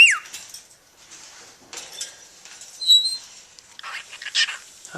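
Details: A pet cockatiel, male, whistles brief, clear notes from a learned tune (Dixie or Yankee Doodle), with a person talking softly nearby.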